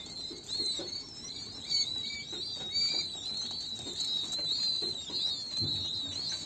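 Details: A brood of king quail chicks chatters in rapid, overlapping high peeps and short whistles, nearly one per second, with light scuffling underneath.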